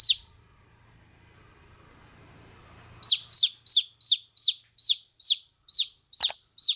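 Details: A baby chick gives a clear series of single high, down-slurred peeps about every third of a second after a quiet opening with soft background noise.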